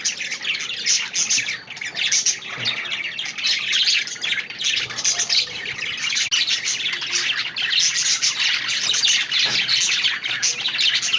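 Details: Many budgerigars calling at once, an unbroken high-pitched twittering and squeaky warbling that rises and falls slightly in loudness.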